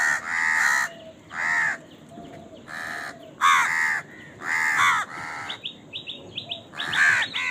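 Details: Crow eating and calling as crows fight for food; repeated loud hoarse caws, about seven, followed by a run of short high chirps from a smaller bird near the end.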